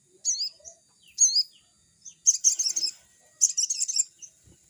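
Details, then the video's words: Crimson sunbird (sogon), singing actively and sounding as if in the forest, used to coach newly caught birds; two short high chirped phrases, then two longer rapid, chattering twitter bursts. "burung sogon GACOR‼️suaranya seperti di hutan‼️pancingan sogon bakalan"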